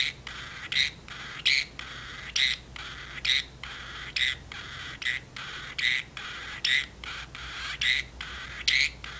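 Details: Indoor pet parrotlet in a cage, chatting with its owner; a steady run of bright squeaky chirps about once a second, about eleven in all, with quiet gaps between them.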